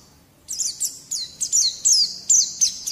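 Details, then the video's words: White-eye song used as a training recording to prompt young birds to sing: a run of high, sharp chirps and down-slurred whistles in quick bursts, growing louder and fuller toward the end, over faint low hum. "Terapi Masteran Terbukti Ampuh Mancing Bunyi Pleci Bakalan"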